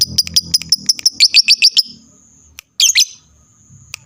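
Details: Lovebird singing to draw answers from other lovebirds: a quick run of sharp, high chirps that speeds into a rapid burst, then a pause and a short squeaky flurry.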